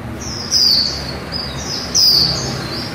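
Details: High, thin chirps from a female white-eye in líu style, meant to rouse other white-eyes, each note sweeping sharply downward, two main bursts about a second and a half apart.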